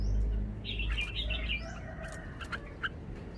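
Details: Red-whiskered bulbul kept as a cage bird, showing a phleng pa (wild-song) phrasing: a quick run of sweet, slurred whistled notes, then a few sharper isolated chirps, with low rumbling noise underneath.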